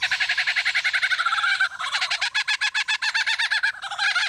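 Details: Male Superb Lyrebird at Adelaide Zoo mimicking machinery from construction work. A dense, harsh, rapidly pulsing rattle, about four beats a second, like a chainsaw or jackhammer, continuing with only brief breaks.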